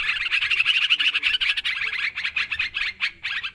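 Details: Yellow-vented bulbul lure recording used for bird trapping, a noisy busy chatter: dense overlapping bubbly notes pour out continuously, brightest in the first half, then break into shorter bursts with brief gaps toward the end.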